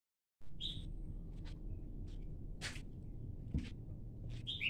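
A Red-whiskered bulbul gives two brief, bright chirps about four seconds apart, over a steady low rumble with a few sharp clicks.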